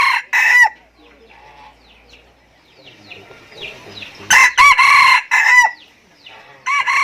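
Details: Chicken crowing: loud harsh bursts with strong harmonics, a short burst at the start, a cluster of three near the middle and another at the end, separated by quieter stretches with faint chirps and background noise.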